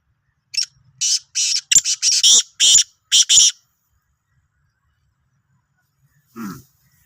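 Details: Sindhi black francolin, recorded 16 March 2023, delivers a long run of about eight harsh, rasping notes in quick succession, followed after a pause by a short lower nasal sound.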